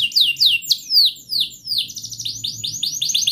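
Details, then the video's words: Canary song used to coax a quiet canary into singing, made of high descending swept whistles, then faster rising slurred notes repeated in quick succession. "Kenari Gacor Panjang Cuit cuit Ngerol,TERAPI AMPUH Kenari MACET, Pancingan Kenari Paud Belajar Bunyi"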